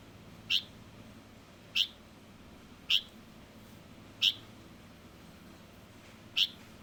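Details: Young Light-vented bulbul calling: bright, clipped high chirps repeated at uneven gaps of one to two seconds, five notes in all, with nothing else audible beyond faint hiss.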